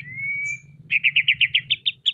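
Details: White-rumped shama singing a song that includes mimicry of fighting sparrows: one long, level whistle, then a quick string of about nine short, bright chirps, with a low background hum.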